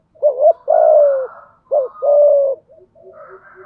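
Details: Thổ sấm-style voice of a spotted dove used as a lure for wild doves in rainy, windy conditions: two phrases of a short bouncing note then a long, level-to-falling coo, followed by faint quiet coos.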